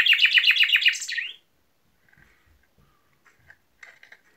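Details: Chaffinch song ending: a fast, descending rattle of clear notes finishing in an upward flick, followed by near silence with a few faint, low chirps.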